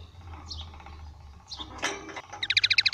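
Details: Small goldfinch-canary hybrid (baster) singing goldfinch-style song: brief high descending sweeps, a loud scratchy burst, then a fast run of bright, evenly repeated twittering notes, about ten in half a second, over low background hum.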